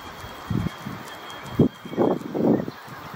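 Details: A pied shag (cormorant) at Zealandia, Wellington, New Zealand, gives four or five low, hoarse grunts about half a second apart, over a faint steady high hum.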